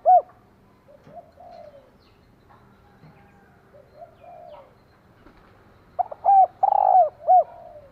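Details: Female spotted dove calling to stimulate a male. One loud coo opens, quieter coo phrases follow, and a strong closing phrase ends with a long mellow coo between short hollow notes.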